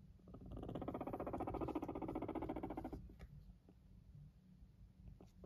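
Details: Pet Silkie guinea pig in a homemade indoor cage purring: a fast, throbbing low rumble that swells for about two and a half seconds, then stops, leaving soft rustles and small clicks.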